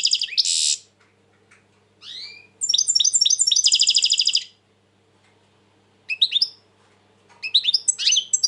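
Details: Song of a European goldfinch, recorded in 2020 while very tense: a buzzy burst, swooping notes, then a fast rattling trill of repeated high chirps lasting nearly two seconds, followed by scattered twittering phrases.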